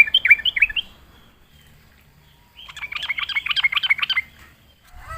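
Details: Sooty-headed bulbul lured into singing: a short burst of three bubbly notes, a two-second pause, then a rapid run of about a dozen chirpy, bouncing notes, ending in quiet.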